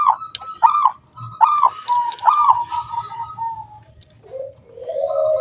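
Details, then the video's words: Lure song of a local wild zebra dove meant to draw other doves into singing: a few bright staccato coo notes, then a sustained even tone trailing off, followed by softer, lower cooing. "SUARA KRISTAL KUNG BULAT PANCINGAN SANGAT AMPUH BURUNG PERKUTUT GACOR MANGGUNG"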